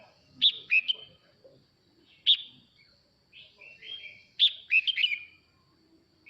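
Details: Male red-whiskered bulbul singing to call its flock, giving short clusters of loud, bright whistled notes with quick slurred warbles between them, phrases separated by pauses of one to two seconds, in quiet surroundings.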